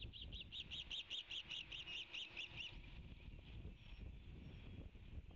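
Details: Growing osprey chicks in the Savannah nest, about three weeks before fledging, after a fish delivery on 15 May 2019, give a quick run of about a dozen high, whistled chirps, roughly five per second, over low wind rumble.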